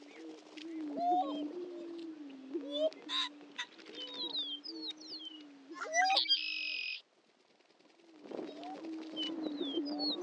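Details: Greater prairie-chickens on a historic Missouri lek at Dunn Ranch Prairie, Hatfield: low droning moans with rising whoops and cackles, cut by a loud hissing burst, a short quiet gap, then the chorus resumes.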